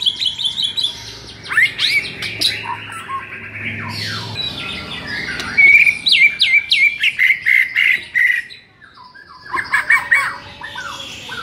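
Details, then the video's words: White-rumped shama song played to rouse a shama that sings too little: a rich, varied run of high whistles, sharp chirps and buzzy slurred notes, including a long trilled series, with some low hum underneath. "MASTERAN UNTUK DONGKRAK EMOSI MURAI BATU YANG KURANG GACOR"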